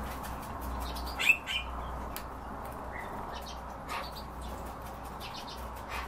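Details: European bee-eater calling: a short, sharp burst of trilled notes early on, a softer follow-up note just after, and a few faint scattered calls later over a steady low hum.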